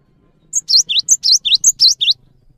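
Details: Clear, loud song of a cinereous tit in full voice, used to teach other birds: three crisp phrases of a high pip and two falling, slightly buzzy whistles, with a faint low hum behind.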